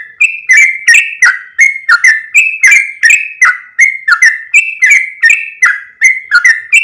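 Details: Lure sound of the yellow-vented bulbul, meant to draw in other bulbuls: an unbroken, fast string of clicky, liquid whistled notes near three per second, rising and falling slightly in pitch throughout.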